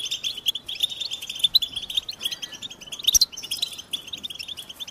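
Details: American goldfinch song: lively high twittering with many quick notes, a louder sharp phrase near the end, and otherwise quiet surroundings.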